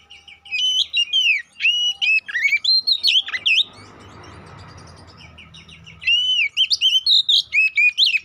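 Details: Kacer poci, the Oriental magpie-robin, singing a provoking lure song for fighting: rapid varied chirps and sharp whistled phrases, a break filled with soft rumbling noise, then another burst of quick chattering notes.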